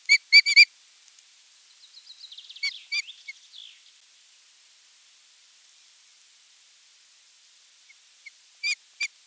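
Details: At a nest on 8 June 2023, an osprey visits and chats with a sleepy mate: three sharp, high chirps, then a soft run of falling whistled notes, ending with two more quick chirps; otherwise quiet.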